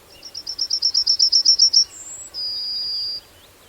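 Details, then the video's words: Yellowhammer song: about a dozen rapid, evenly spaced high chips building in loudness, then a brief higher note and a long, sustained lower tone, with soft rural background noise. "Yellowhammer Bird Sound Effects"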